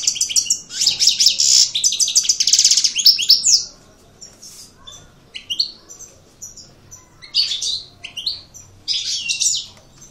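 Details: European goldfinch, called an aggressive coupleur, opening with a fast, dense buzzy trill of rapid repeated notes, then scattered sharp descending chirps and short twittering phrases separated by pauses.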